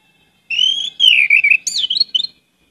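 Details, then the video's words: Orange-headed thrush in a lure recording, giving a loud gacor song with many varied isian phrases: a long whistled note slurring downward, then short clipped whistles and a rising-falling figure. "pancinagan anis merah gcor banyak isian"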